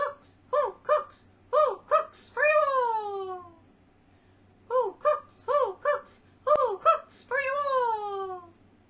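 A Barred Owl hoots two rhythmic phrases, each a run of short, clipped hoots ending in a long, drawn-out note that slides downward, over a faint low hum.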